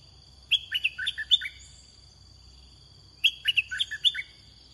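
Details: Red-whiskered bulbul heard during Thai decoy-bird luring: two bursts of quick, bright whistled notes that drop and rise, each about a second long, over a steady high insect drone.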